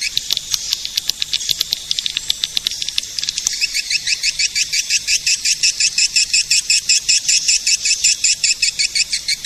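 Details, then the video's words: Swiftlet lure call meant to draw edible-nest swiftlets: sharp high clicks and chirps at first, then a steady run of quick twittering notes repeated roughly three times a second. "Suara pemanggil burung walet"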